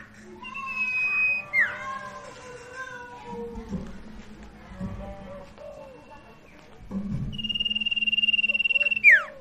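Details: Lure song of a sirtu for a silent bird: several wavering, harmonic whistled notes at varied pitches, then a long steady trill near the end closing with a sharp downward sweep, over a low hum.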